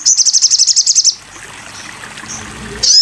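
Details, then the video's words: Crimson sunbird song for training: a fast, even trill of about twelve thin high ticks over one second, then a quiet stretch with soft hiss and one brief high chirp at the end. "masteran burung sogon"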